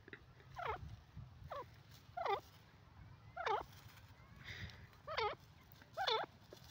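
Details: Desi or dakhni teetar, a francolin, calling: a series of hoarse, stacked, downward-curling notes, one roughly every second, with faint background hum.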